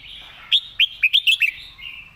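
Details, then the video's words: Caged red-whiskered bulbul, praised as a good and diligent singer, delivers one crisp phrase of six loud whistled syllables spaced evenly over about one second, over a soft continuous warble. "เสียงดี ขยันร้อง"ดาวรุ่งพุ่งแรง#เสียงนกกรงหัวจุก"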